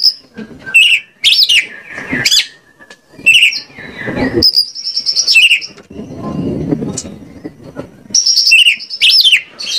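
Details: Oriental magpie-robin in Indonesia giving a lure song to make others respond: varied sweeping, arched phrases, long high steady whistles and quick downward slurs, with a stretch of low background noise midway.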